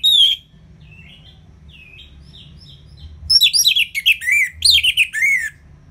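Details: Orange-headed thrush giving ngeplong song to stimulate silent birds: a loud opening note, soft warbled phrases, then a rapid, rich run of rising and falling whistles.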